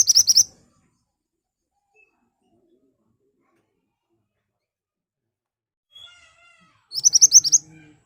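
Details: Ashy tailorbird singing as a lure to get other birds to reply: two short rapid bursts of shrill high notes several seconds apart, with faint chirps between them.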